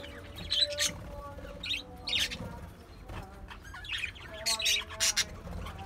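Budgerigars give bright, scratchy chirps in quick bursts, with short pauses between the chattering phrases.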